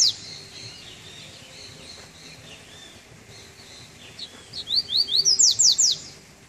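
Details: Double-collared seedeater singing the Treme Terra song style, coming out of moult on its first outing in cold weather; after a quiet stretch, a quick burst of high rising then falling sweeps repeated about eight times near the end.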